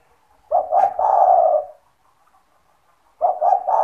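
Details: Lively, owner-kept spotted dove whose call is used to attract other doves: a low hum and a click under a two-note-plus-long-coo phrase, then silence, then the phrase beginning again.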